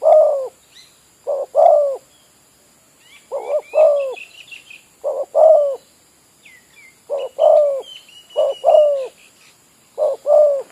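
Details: Spotted dove serving as a lure for trapping at an oil palm site, repeating paired low coos at uneven gaps, short then drawn out, while small birds chirp and twitter faintly behind.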